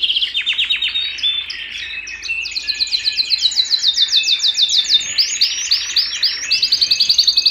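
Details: Canary singing at home: varied song of quick descending chirps, then a fast, very high rattling trill of repeated notes, followed by a series of rounded, rising-falling whistled notes repeated several times a second.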